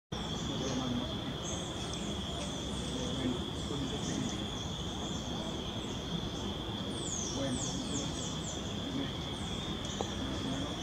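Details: Golden-crowned Flycatcher at Vereda El Águila on the Manizales–Neira road, Caldas, Colombia, giving thin, high, squeaky downslurred notes in a quick series near the end, over a steady insect drone and heavy low rumbling noise.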